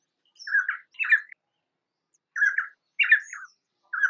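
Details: Painted spurfowl (Galloperdix lunulata) singing: short, harsh, buzzy two-note phrases, the second note rising then dropping, repeated about every two and a half seconds in a quiet setting with no other sounds.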